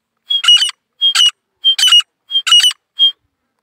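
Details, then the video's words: Grey francolins, two females and a male, calling: five loud phrases, each opening with a clear high whistled note followed by a rasping, ringing double burst, spaced about every two-thirds of a second with short silences between. "دو مادہ ایک نر تیتروں نے مل کر 100 سپیڈ کی بولی لگائی تیتر کی بولی کس طرح بجائی جائےگھورا دیسی تیتر"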